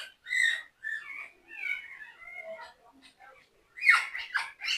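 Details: A whispering African grey parrot, aged 20, speaks softly right at its owner's ear. It makes hushed, murmured speech-like phrases with gentle wavering tones, then ends with a few sharper, louder breathy bursts.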